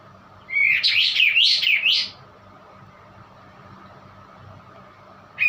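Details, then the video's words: One white-eye sings a strange-sounding phrase of high, quick, looping chirps that rise and fall for about a second and a half. Silence follows apart from a low background hum, then a new phrase begins right at the end. "kapas tembak bunyi aneh"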